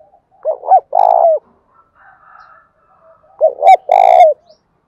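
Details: Đồng Thổ-voiced spotted dove cooing to challenge a rival male: two strong phrases of quick looping coos and a long harsh buzzy coo, with soft murmuring notes in the gap.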